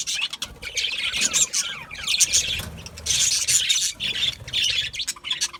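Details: Several budgerigars chatter in uneven bursts of grating squawks and twittering warbles, with a short quieter gap midway.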